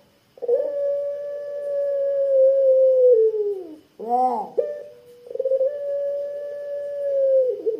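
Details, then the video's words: Puter pelung, a Barbary dove with a thick, deep voice, used as a lure for other doves: a very long, steady, low, mellow coo held for about three seconds, a short wavering break, then another drawn-out coo. "puter pelung suara tebal kwook panjang 100% ampuh buat pancingan puter pelung anda"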